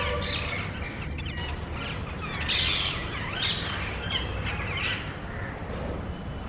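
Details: Parrots searching a residential area for somewhere to nest call noisily, almost quarreling, before flying away. Shrill, rasping squawks in quick overlapping series rise and fall in loudness over a faint low rumble.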